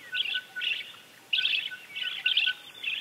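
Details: Glowing puffleg (Eriocnemis vestita), a high-altitude hummingbird of Andean cloud forests, giving high, buzzy chittering bursts, about five short clusters over three seconds, with a faint steady whine underneath.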